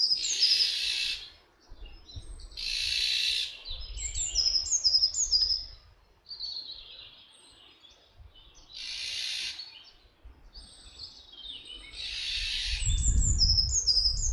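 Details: Iberian Eurasian jay of subspecies fasciatus at Camorritos, Cercedilla, near Madrid, Spain: harsh broad rasping screeches about every three to six seconds, with thin high chirps from small birds between them and a low rumble near the end.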